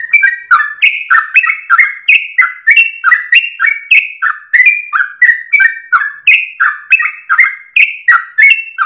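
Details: Sooty-headed bulbul singing at dawn in long, rapid 'ropel' style while wagging its tail, used for training cage birds: a nonstop stream of short, bright whistled and chattering notes, about three per second, slurring up and down.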